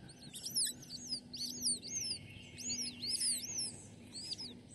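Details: Youngest Red-shouldered Hawk chick in the nest begging after the food ran out, still wanting more; high, arched, down-slurred squealing notes repeated rapidly, several per second, with a faint steady low hum underneath.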